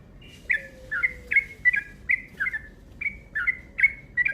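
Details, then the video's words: Yellow-vented bulbul calling as a lure, rapid 'ropel' style: a dozen crisp chirps about three per second, each a quick downslurred note, over a faint low sliding tone. "Panggilan Burung Trucuk Ropel Panjang Gacor Cepat"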